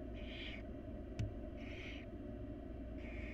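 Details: Three drawn-out, breathy hissing screeches from wild barn owl nestlings begging at feeding time, evenly spaced about one and a half seconds apart, with a single sharp click between the first two.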